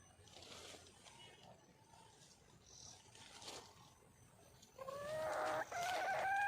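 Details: Wild female red junglefowl calling to attract a male: after quiet background with faint rustling, a few loud rising, harmonic whistled notes arrive near the end, overlapping one another.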